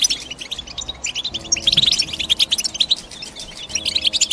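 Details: European goldfinch giving rapid, high twittering, with sparse notes at first, then a dense run of sharp chirps and brief liquid trills from about the middle onward.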